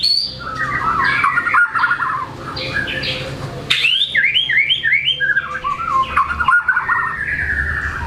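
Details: White-rumped shama working through its repertoire: wavering warbled phrases, a loud burst of rapid descending chirps, then more twisting whistled notes over faint low rumble.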